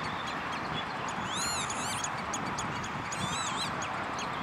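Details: Common redshank at De Wollebrand water storage area, Naaldwijk, Netherlands, on 11 June 2013, giving two short bursts of clear, down-slurred piping whistles about two seconds apart over a steady rush of wind or water.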